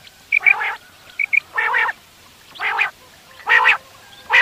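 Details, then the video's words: Morning quail calling used for hunting: a few slow, drawn-out nasal bursts, each with a rich buzzy tone, plus two small whistled pips near the start. Long silent pauses separate the notes. "Batair awaz / quail sound / subah shekar k leye batairon ki behtareen awazy"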